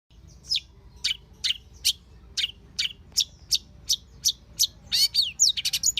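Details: Wild long-tailed shrike singing: a steady series of sharp, high downslurred chips about every third of a second, ending in a quicker tumbling burst of squeaky notes, with a low background hum.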